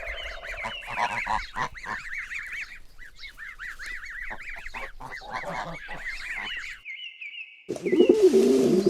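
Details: Young goose calling with rapid, thin, rising peeping notes repeated about four times a second, some harsher honk-like bursts mixed in, then a steady whistle and a loud noisy burst near the end.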